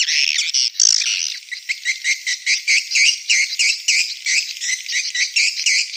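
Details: Swiftlet lust call: after a short burst of squeaky chatter, a steady run of sharp, dipping chirps repeats about three to four times a second.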